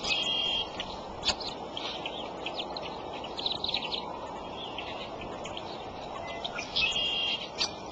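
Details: Bald eagle nest at Decorah, April 13, early morning, adult feeding young: thin whistles open and close the stretch, with busy high chirps between over continuous hiss.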